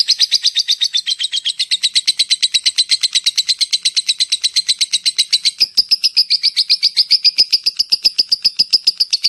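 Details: Lovebird (labet) giving a long ngetik, ngekek call used to attract other lovebirds: a continuous rapid chatter of buzzy, harsh notes, about four per second, shifting slightly higher partway through.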